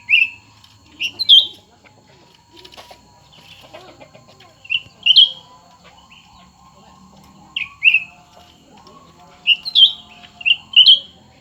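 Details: Competing song of two cucak ranting birds, one newly acquired and one long kept. Clusters of two or three sharp whistled slurs come every few seconds, with quieter scratchy sounds between them.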